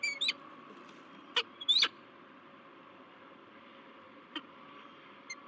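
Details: A male peregrine falcon greets a new female at a nest in La Crescent, USA, on 16 March 2023. Quick bursts of sharp calls open the recording, then sparse single notes over low hum.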